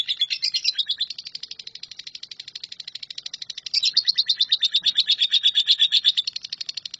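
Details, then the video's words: Continuous 'nyambung kuntilanak' trill by a lovebird, intended to teach shrikes: rapid high chattering that dips in volume for a few seconds, then returns louder and more grating. "LOVEBIRD NYAMBUNG KUNTILANAK"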